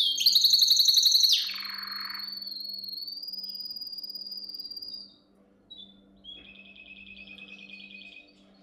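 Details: Training song of a canary for young birds: an extremely fast, rattling trill, then a long, pure, steady whistle, silence, and a softer, evenly pulsed trill to finish.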